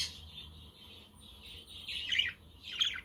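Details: Budgerigars on a sunny, windy day, recorded as company for lonely budgies, with a quaker parrot and a conure in the background. A soft, steady murmuring warble rises into scratchy, squeaky chatter near the end.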